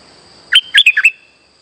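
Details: Streak-eared bulbul lure song for trapping, one short lively phrase of five bright, warbling chirps, some rising and some dropping, over a thin steady high-pitched whine.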